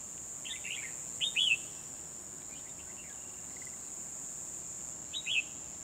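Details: Red-whiskered bulbul kept as a trapping decoy, 12 December 2020, singing to draw in wild birds; short rich warbled phrases, two close together, then another after about four seconds, over a persistent high insect drone.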